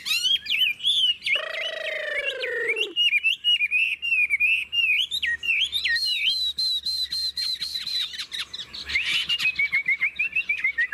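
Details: Caged Vietnamese Chinese hwamei with a wild forest voice. A long, high, continuous warble of rising and falling whistles is broken early by a coarse, grating, harmonic note of about a second and a half.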